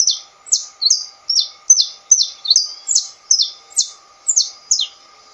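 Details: Saffron finch, called canário-da-terra, singing a steady string of about a dozen sharp, bright, descending chirps, some doubled, spaced roughly every half second; a faint constant hum underneath.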